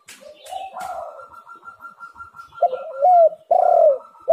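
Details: Spotted dove (tekukur) coos played as a lure to make doves call: soft muffled coos under a steady high whining tone, then louder, harsher coo notes toward the end.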